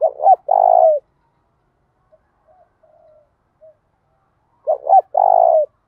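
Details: Spotted dove singing in 'thổ đồng' field voice, meant to get male doves answering. Two phrases, each a pair of short hooting notes then a longer falling coo, about four seconds apart with faint murmurs between.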